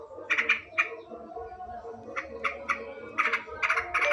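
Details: Yellow-vented bulbul singing in the afternoon: short, harsh, chattering bursts in irregular groups of two or three, separated by brief pauses, over a faint low hum.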